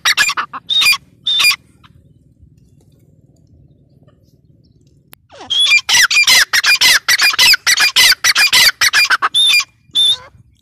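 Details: Partridge, called teetar, giving loud harsh squawking calls: a few notes, a quiet gap of several seconds, then a rapid, dense series of grating repeated notes with thin whistled overtones.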